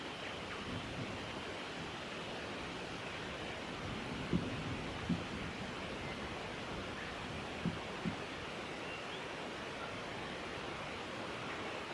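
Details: Steady wind and surf-like rushing noise throughout, broken only by four faint low knocks, with no animal voice heard.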